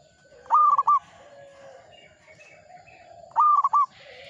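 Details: Zebra dove of local stock singing steadily: two loud, clear three-part phrases roughly three seconds apart, each a held whistle followed by two brief notes, with faint lower coos from other birds between them.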